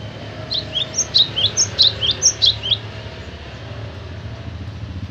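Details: Singing cinereous tit (gelatik batu) gives a bright series of paired high whistled notes, each pair dropping in pitch, about ten in two seconds, then stops over a soft low hum.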